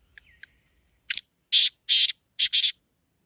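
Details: Calling phrase of a black francolin, meant to stir caged birds into calling: one crisp click-like note, then four rasping harsh notes, the last two run together as a quick pair, over near silence.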